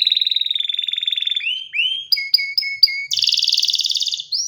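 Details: Singing canary gives a rapid pulsed trill, then a row of short upslurred whistles repeated about every quarter second, then a dense, fast, ringing trill on a higher pitch.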